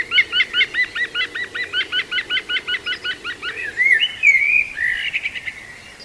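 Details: ['Juvenile female green woodpecker, Walthamstow Waterworks Nature Reserve, London, UK, 5 September 2022, gives a long laughing series of about eighteen sharp, hooked notes repeated quickly and steadily, followed by rougher, sliding squeals and chatter.']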